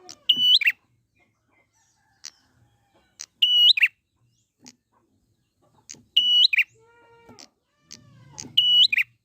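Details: Wild prinia lure: flat, ringing high whistles each ending in a quick downward buzzy flick, repeated about every 2.5 seconds, with a lower harmonic call and faint ticking between them.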